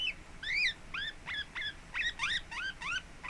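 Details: Pet lineolated parakeet, relaxed and settling in at home, recorded 26 April 2017, giving a quick series of about nine bright, chirpy arched calls, each rising then falling, spaced roughly a third of a second apart over a quiet room.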